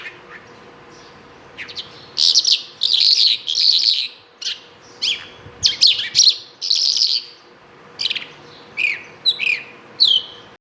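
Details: A bimaculated lark sings a series of short, bright chirps and trills, the phrases varied and broken by brief pauses, some sweeping down sharply and others buzzy, over about ten seconds with faint background hiss.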